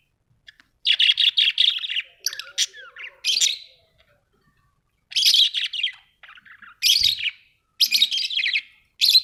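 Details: Budgerigars kept as pets at home, chattering in repeated buzzy, scratchy bursts of chirps separated by brief pauses, with a thin rising whistle early on.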